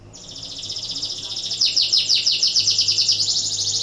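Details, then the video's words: Breeding-condition canary singing to encourage other canaries to sing: a continuous high rolling trill of rapid pulses, growing louder and coarser after the first second and a half, then steady to the end. "PANCINGAN KENARI BIRAHI , AMPUH MERANGSANG KENARI IKUT BUNYI"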